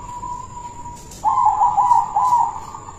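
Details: Silver-coloured local zebra dove, a caged bird kept as a lure for other doves, giving a rolling trilled coo that starts as a steady soft tone, then breaks into a louder warbling phrase in two segments.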